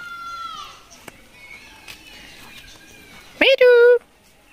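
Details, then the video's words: A pet talking Rose-ringed (Indian ringneck) parakeet in Bangladesh, 24-11-2023: a faint falling whistle-like note, then a loud, nasal, speech-like two-syllable burst near the end over a low room murmur. "Kotha Bola tia pakhi"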